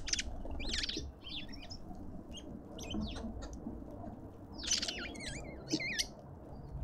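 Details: Lovebirds calling at a garden feeder in suburban Pretoria, South Africa: scattered sharp, squeaky chirps and twisting high whistles, separated by quieter gaps with faint background noise.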